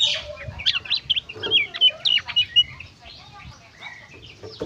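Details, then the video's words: Gacor konslet singing of an Oriental magpie-robin, meant to stimulate others of its kind to sing. Sharp rising and falling whistles in a quick uneven series, followed by quieter scattered notes over a low background hum. "suara burung kacer gacor konslet"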